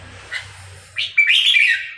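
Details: A hand-tamed captive Red-whiskered bulbul, kept about two months, sings confidently in front of the camera: a brief burst of bright, warbled whistles rising and falling quickly after a short chirp, faint low hum beneath.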